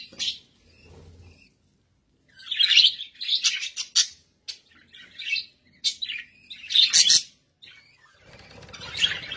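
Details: Pet budgerigars produce loud, scratchy warbling with clicky chirps in several bursts, broken by brief pauses, in an indoor setting.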